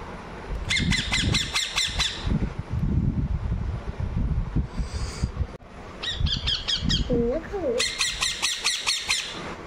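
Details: Pet Indian ringneck parrot, hungry and being fed indoors, gives bursts of harsh, rapid, grating screeches with long pauses between bursts; a person speaks softly in the gaps.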